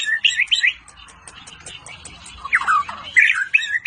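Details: White-rumped shama of the Medan type, singing in the cililin style with besetan phrases; loud buzzy and whistled bursts near the start and again near the end, a quieter gap between them.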